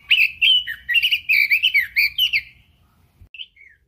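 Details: Red-billed leiothrix in energetic song, a quick string of bright warbling whistled notes for about two seconds, then two soft isolated notes after a pause.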